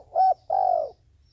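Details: Dove used as a trapping decoy utters a brief clipped coo followed by a longer, gently falling drawn-out coo; quiet low hum underneath.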